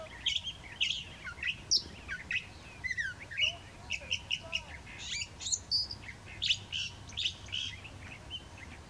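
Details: California thrasher singing at Whitewater Preserve on 1/3/17: a varied, continuous string of short phrases, with chirps, slurred whistles and harsh notes changing every fraction of a second, over faint low background rumble.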